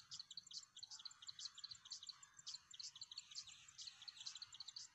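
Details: Plain wren-warbler calls recorded on 23 September in Magadi, India: rapid, high, thin chirps repeated in quick bursts throughout, with several notes overlapping, over faint low background noise.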